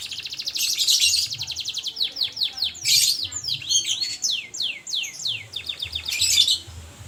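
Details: Canary singing energetically: fast buzzy trills alternating with series of high descending whistled slurs, each phrase a few seconds long, over a faint low hum.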